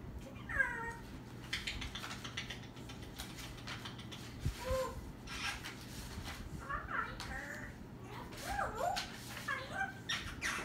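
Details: Talking parrot indoors, giving short warbled and squeaky phrases with sliding, looping pitch, spaced irregularly and coming in bunches near the end, over a constant low electrical hum and room noise.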